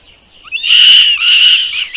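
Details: A mother bird feeding chicks in their nest; a loud, harsh, high-pitched call held for over a second, slightly buzzy and steady, with brief breaks.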